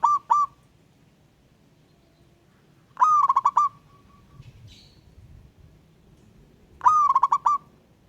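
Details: Local wild zebra dove in ngayer style, calling a rival: three bursts of quick, stuttering low coos, each a run of clipped notes ending in a held one, spaced about four seconds apart over quiet background.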